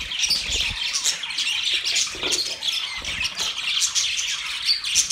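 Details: Budgies singing while mating, an unbroken high chirping chatter of many birds, fast and scratchy, with a few dull knocks mixed in.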